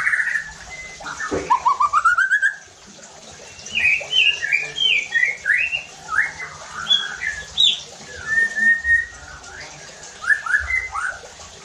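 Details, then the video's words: White-rumped shama song used as bait to rouse other shamas: a rising trill, then a string of short, sharp, slurred whistles repeated rapidly over steady background noise. "PANCINGAN EFEKTIF JADIKAN MURAI BATU NEMBAK KASARR UNTUK MENINGKATKAN EMOSI DAN BONGKAR ISIAN"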